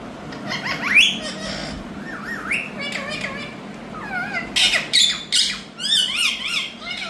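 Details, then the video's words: Pet Indian rose-ringed parakeets kept as talking birds give a run of bending whistles and harsh squawks, rising and falling between notes, with short chattering bursts near the end in a small room. "Teach Your Parrots🤍Talking By Showing🍃 This Indian Parrots Talking"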